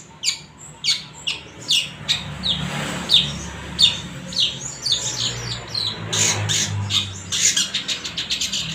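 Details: Original cendet (long-tailed shrike) song for prompting silent shrikes to sing: a steady series of grating, chattering squawks interspersed with brief thin whistles, roughly two notes per second, accelerating toward the end, over a low droning hum.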